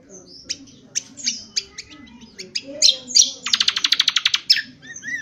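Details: Cucak kombo, or Indonesian honeyeater, in rough twittering 'ngriwik kasar' used to train birds: scattered sharp chirps and buzzy slurs, then a rapid, even trill of about a dozen pulses, ending with a rising whistle.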